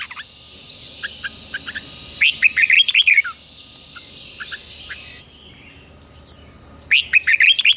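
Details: Morning song of red-whiskered bulbuls played to coax wild-caught birds into fighting song: scattered thin chirps, then two runs of quick, warbling, up-and-down notes, many overlapping high chirps from other birds around.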